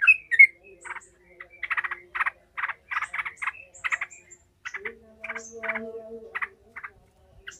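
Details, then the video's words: Yellow-vented bulbul in an enraged, emotional 'ngekek' chatter, used to train the fighting mentality of other bulbuls: a high whistled note, then clusters of harsh clipped notes at uneven intervals, with a faint low hum behind. "Trucukan gacor ngamuk ngekek emosi"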